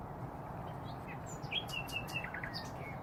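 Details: Common Nightingales singing among hedges around Braziers Meadow, Orwell Country Park, heard at a distance: quick, varied phrases of sharp whistles, slurs and clicks over a steady low rumble of wind or far traffic.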